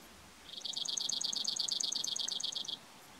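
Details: A Brewer's Sparrow at Bodie State Park, Mono County, California sings a fast, dry trill of about twenty buzzy high notes over two seconds, wavering slightly in pitch, against a quiet background.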